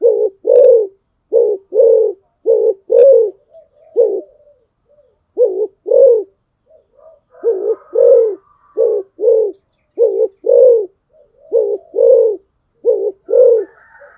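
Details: Spotted dove used as a decoy, calling steadily: many low, husky coos in short-long pairs, repeated roughly every second over a long sequence, with brief pauses and a faint high whistling tone near the end.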